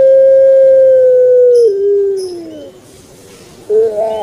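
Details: Long, even hoot from a kept puter pelung turtle dove sliding down into a lower fading coo, a pause, then the start of a rolling phrase.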